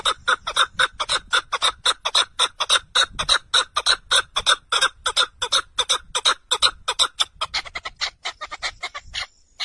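A partridge gives a long, fast run of harsh, scratchy notes, about three each second, steady at first, then quickening and breaking up toward the end.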